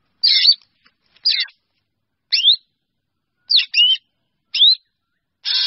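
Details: Drongo calling to gather its flock: harsh, scratchy chatters mixed with short rising whistles, each burst about half a second, repeated irregularly about once a second.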